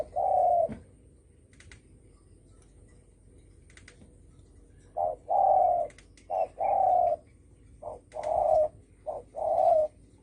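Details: Spotted dove in the 'đồng thổ sấm' call style, meant to provoke other birds: a single drawn-out low coo, a silent pause of about four seconds, then a quick run of short and longer hooting coos.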